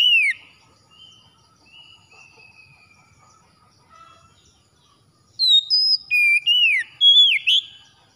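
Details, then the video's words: Oriental magpie-robin singing in a morning recording for reviving quiet birds: a soft rambling of faint whistles for several seconds, then a loud fast burst of high clear notes and swooping slurs. "TERAPI PAGI PEMULIH KACER MALAS BUNYI CEPAT GACOR"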